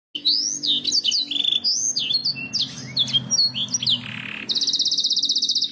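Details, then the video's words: Canary song used as a masteran training recording to prompt birds to sing: fast varied whistled phrases, rising and falling sweeps, a buzzy note near four seconds, ending in a rapid even trill; faint low hum underneath. "Suara burung kenari masteran ,langsung nyaut"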